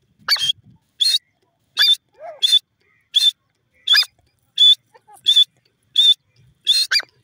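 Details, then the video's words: Grey francolin calling, described as a wild jungle bird: sharp, high, ringing notes repeated at a steady pace, about one every three-quarters of a second, with quiet gaps between them. "lovely dasi teetar ki awaaz,jungli teetar ki boli"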